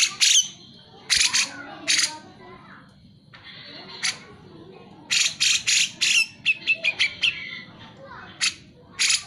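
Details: Cucak jenggot singing energetically as a lure for birds that will not sing; loud harsh chattering notes in irregular clusters, a brief held whistled tone, then quick rasping bursts.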